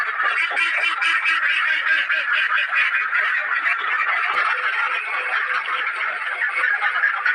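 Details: Loud chorus of ducks in a cage, rapid nasal quacks tumbling over one another at roughly two per second, steady and unbroken throughout.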